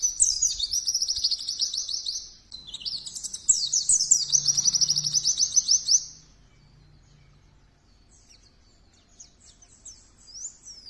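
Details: Energetic pleci (Oriental white-eye) song in two bursts of rapid, high-pitched trilling twitters, with a brief break between them, followed by near silence and a few faint distant chirps.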